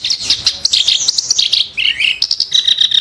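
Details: Clamorous reed warbler (kerak basi) in sharp, harsh song: a continuous scratchy jumble of fast chattering notes with a lower grating phrase near the middle.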